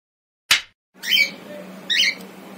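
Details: Cockatiel having a good time on a balcony: a sharp click, then two harsh, buzzy squawks about a second apart over a steady low hum.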